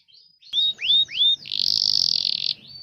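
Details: Canary master song for training young or silent canaries: three clear rising whistled notes, then a dense buzzy roll lasting about a second.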